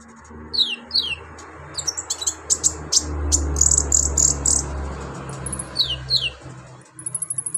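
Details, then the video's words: Brown-throated sunbird (kolibri ninja) in rough, energetic song aimed at riling untrained sunbirds: high down-slurred whistles, a dense run of very high stuttering notes, then more slurred chirps, all over steady low rumbling background noise. "KOLIBRI NINJA GACOR BONGKAR ISIAN KASAR BUAT MENAIKAN EMOSI KONIN BAHAN"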